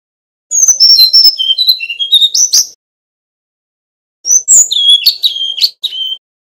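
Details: Fluting song of a male Brown-chested jungle flycatcher from Bali, offered as a master recording for training birds: rapid whistled notes stepping down then up, sharp chips, a pause, then a second varied run of clear whistles.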